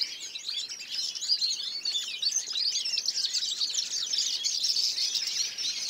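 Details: Recorded in 2014, European goldfinch singing a bright, busy stream of high twitters, buzzy trills and tinkling notes, steady throughout.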